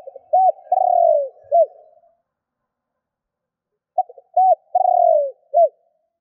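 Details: Spotted dove calling to provoke other doves: two short hollow coos, a long falling purred coo, then a short closing coo. The phrase repeats about four seconds later in a quiet setting.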